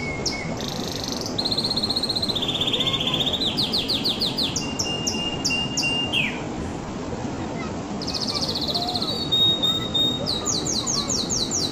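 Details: Long canary song passage: ringing high trills alternating with lower rolled tours, a drawn-out flat whistle, a brief downward slide, then renewed fast clipped trills near the top of its range, with background hiss throughout.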